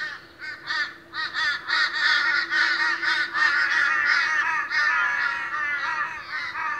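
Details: Boisterous Australian ravens at a morning gathering, calling rapidly in loud, overlapping bursts of nasal, harmonic caws about three a second, with a faint steady hum beneath.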